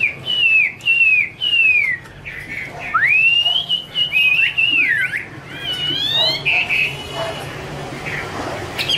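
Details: Chinese hwamei, a female with a male in the background, in the 'te' song style: repeated short bent whistles, a long rising-then-level whistle with twisting notes, then a rapid upward-sweeping series and quieter calls.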